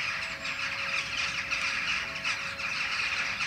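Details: Jackdaws, a flock sitting in a tree before the setting full moon, keep up a constant babble of sharp, clipped calls piled on top of one another, with a faint steady hum underneath.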